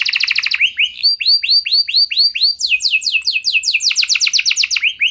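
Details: Lure song of a canary to make other canaries sing, a quick trill, then evenly spaced curved whistled notes, then rapid rolling downslurred phrases.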